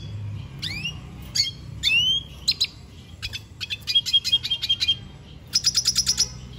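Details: Venezuelan goldfinch song opening with a few sharp rising whistles, then rapid clipped chirps and a quick run of evenly spaced high ticking notes at the close.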